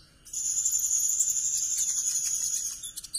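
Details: Conin giving a trotol kumur-kumur song, used to prompt a mute conin to sing again. A single sustained, very high, rapid trill runs for nearly three seconds, ending in a few sharp chips, with a faint steady hum beneath.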